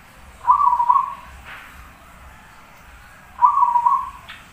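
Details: Zebra dove (perkutut) singing actively: two gentle trilled coo phrases about three seconds apart. Each is a low, bubbling, slightly wavering roll, with a faint click between them.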